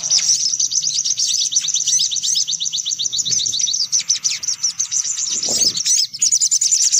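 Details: Sunbird lure sound: a constant, busy stream of high, rapid, scratchy trills and chirps, with few pauses, a brief low thump midway.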